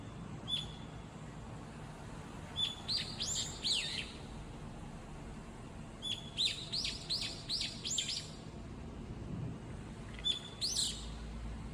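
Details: A single bird calling wildly as it shifts between four or five nearby perches; a thin whistled note leads into clusters of sharp, high chirps, three bursts over about twelve seconds.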